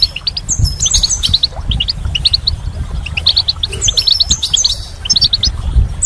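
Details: Goldfinch singing in spring: quick sequences of sharp chirped notes and high jingling trills, repeated in lively clusters, with low background rumble throughout.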